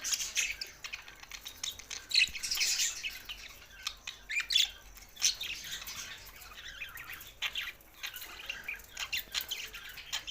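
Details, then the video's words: Budgerigars singing: scratchy squawks and quick chirps in an uneven chattering stream, busiest in the first half and then thinning to sparser squeaks. "Budgies Sounds for Lonely Happy singing"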